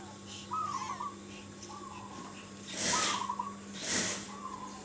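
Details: Local zebra dove singing in the sri tumpuk style, played as a lure so other doves answer. Soft, rippling cooed phrases at mid pitch repeat about every 1.2 seconds over a steady low hum, with two loud hissing bursts.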